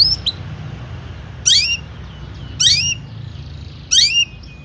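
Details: Long-tailed shrike sounds used as a lure to make other shrikes sing. Three loud harsh notes with downward-sliding tails, spaced more than a second apart, over a steady low background hum.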